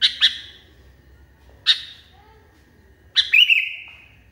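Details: Agitated sooty-headed bulbul: a quick pair of sharp chirps, a lone chirp after a pause, then a burst of clipped notes trailing into a long, clear, fading whistle over a low hum.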